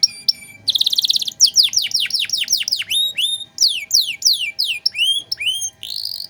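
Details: Canary in full 'gacor' song with a luxurious 'cengkok mewah' style, used as a tutor recording for untrained songbirds: a buzzy high rattle, then a run of steep downward-sweeping whistles and bright rising notes.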